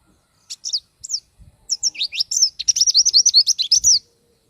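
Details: Oriental white-eye (pleci) singing vigorously, recorded as a tutor song for training other birds: thin, high twittering notes, first scattered, then a fast run of short repeated chirps that closes the phrase.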